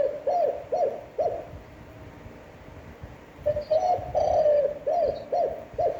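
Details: A spotted dove coos in a standard, long-winded voice used to excite decoy birds: three short arched hoots, a two-second pause, then a longer drawn phrase followed by more clipped hoots.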